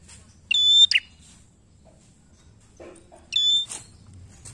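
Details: Bar-winged prinia singing, used as a lure to prompt other birds to sing: two phrases about three seconds apart, each a piercing level whistle ending in sharp chips, with a faint low sound between them.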